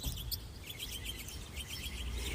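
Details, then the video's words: Male northern mockingbird singing on a lamppost in a supermarket parking lot in Sudbury, Massachusetts, around 8:30 am in late March, his spring debut: quick, varied chirps and short repeated high phrases over steady low traffic rumble. "It's about 8:30 in the morning, and I'm listening to one of our local northern mockingbirds make his spring debut."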